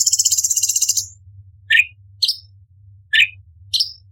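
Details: Orange-bellied leafbird tutor recording for songbird contests: a fast buzzy trill of pulses about twenty per second for one second, then four short sharp chirps, alternating downslurred notes and higher slurred notes. Steady low hum throughout.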